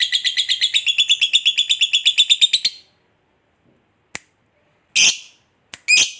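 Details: Fighter lovebird's ngekek, used to stir up other lovebirds: nearly three seconds of fast, shrill, buzzy trilling, then a pause and a few separate piercing chirps and squawks.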